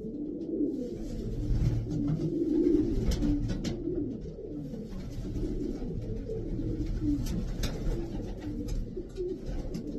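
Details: Twelve racing pigeons of European strains, kept in Pakistan, coo together in a dense low chorus of soft rolling notes repeated several times a second, with scattered wing flaps and light clatter above.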